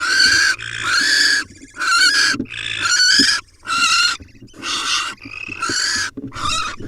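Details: Wild barn owls at a nest, with a male delivering a swallow as prey to the nestlings. Loud, harsh, breathy hissing screeches come in long bursts of about half a second to a second, repeated in quick succession with short gaps.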